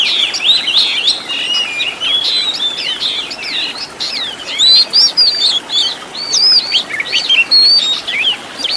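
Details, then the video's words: Oriental magpie-robin master song with rich 'isian tembakan' fill for tutoring caged birds; busy run of looping, twisting whistled notes and rapid chips, getting louder and choppier in the second half. "MASTERAN KACER ISIAN MEWAH BIKIN GACOR"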